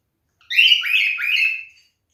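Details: Male cockatiel calling during mating behaviour: a single harsh, drawn-out squawking whistle of a bit over one second, rising and wavering in two parts.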